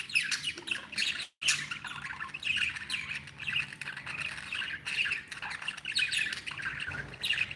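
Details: Happy pet budgerigars chattering continuously, a dense stream of short squawky chirps and warbles with a brief pause partway through.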